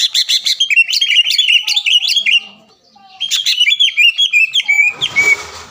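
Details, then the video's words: Provocation song of a green leafbird for prompting a rival to sing: dense, rapid twittering phrases of varied whistles in two bouts, ending in a rustling burst of noise. "PANCINGAN CUCAK IJO GACOR AGAR CUCAK IJO LAWAN SEKETIKA LANGSUNG BUNYI DAN EMOSI"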